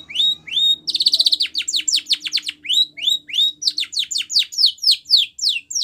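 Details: White Spanish Timbrado canary song meant for training young canaries, a rapid metallic trill followed by a steady run of loud, sharp, downward-sweeping notes, about three per second, with a faint low hum beneath.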